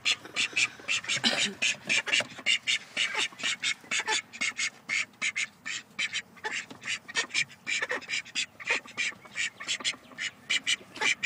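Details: One of a pair of grey call ducks gives loud, harsh, high-pitched quacks in rapid uneven bursts, about two a second, with hardly a pause, while its mate stays quiet.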